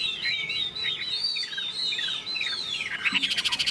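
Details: Chinese hwamei in a cage, singing in morning sun after fresh food: flowing sweet whistles and falling notes that end in a fast, evenly pulsed trill.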